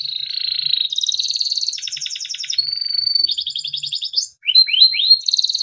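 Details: Timbrado canary performing a melodic training song: long continuous rolling trills changing pitch in steps, a pure level whistle, then rising chirps and another trill.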